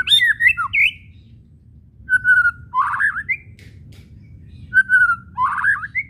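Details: White-rumped shama whistling, with chatter used to provoke rival shamas to sing: an opening tumble of high whistles, then repeated pairs of a steady whistle followed by a rising buzzy warble, roughly every two and a half seconds.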